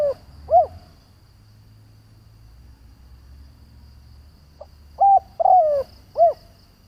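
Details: Decoy spotted dove cooing to provoke other doves: an arched coo at the start, a quiet pause, then a full phrase of pip, flat coo, long falling coo and a rounded closing coo.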